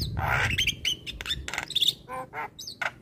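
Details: Javan myna singing gacor-style, meant to rouse stressed mynas: coarse, raspy squawks and grating bursts with a few thin whistles, chunky and loud over a low background hum.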